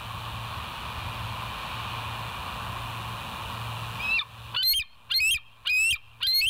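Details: Live nature cam at the West End bald eagle nest, 19 September 2023 at 06:52: after steady background hum, an eagle gives five loud, sharp, high squealing notes in quick succession, about half a second apart.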